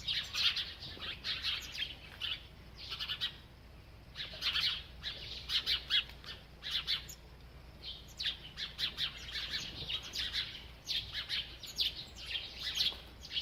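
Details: Chirping from a feeding bird, with uneven runs of quick, high tweets and a few harsher squawk-like notes, broken by pauses of up to a couple of seconds.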